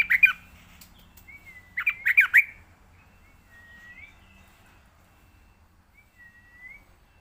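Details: Yellow-vented bulbul, played as a training recording for young birds: bubbly, chattering notes in two quick bursts, then soft, thin slurred whistles that fall and rise, spaced a few seconds apart in quiet surroundings.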